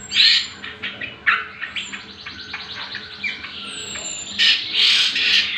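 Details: Greater green leafbird (cucak kombo) song recorded to train other birds: a few loud opening notes, then a rapid rattling run of repeated notes, ending in a rich burst of warbling and a long thin high whistle.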